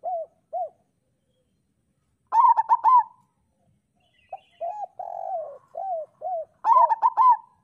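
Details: Local zebra dove master song, played to stimulate lazy or moulting captive doves into singing: soft arched coos, then a quick stuttering burst of bubbling notes near 2.5 seconds, a run of rounded coos, and another burst near 7 seconds.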